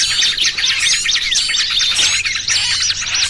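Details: Short stretch of a small-bird trapping lure mixing trucukan with trapped small-bird cries: sharp, high zigzag chirps and squeaks tumble over each other in a busy chatter, with a faint low hum.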